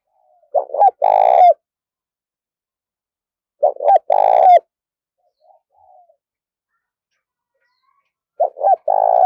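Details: Spotted dove kept as a decoy bird, calling to lure other doves; three cooing phrases roughly three to four seconds apart, each a short stuttered lead-in, then a long burry coo and a falling final note, over a quiet background.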